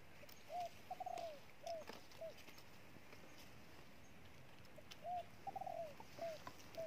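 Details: Wild-caught spotted dove cooing strongly: soft, hollow, slightly downslurred coo notes in short uneven runs, with a pause of about two seconds between runs, over a faint rustling background.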